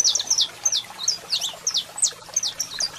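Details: Saffron finch male singing with a female calling: crisp, high downward-slurred chirps spaced roughly three per second, clear and evenly loud, with a low hum in the background.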